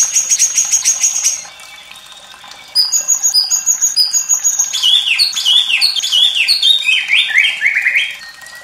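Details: White-rumped shama song for tutoring young and reluctant birds, with running water; a burst of rapid high notes, a brief pause, then chattering high phrases and descending whistled slurs.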